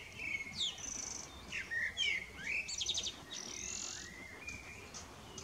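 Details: Common blackbird serenading in the evening: loud, clear fluted whistles in quick varied phrases, swooping up and down, punctuated by high scratchy trills and a long sliding note near the end.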